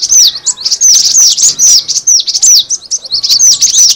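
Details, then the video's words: Cinereous tit lure sound with bright, sharply falling chirps packed closely together, pulsing in rapid groups with tiny gaps, steady and loud. "suara pikat burung gelatik batu"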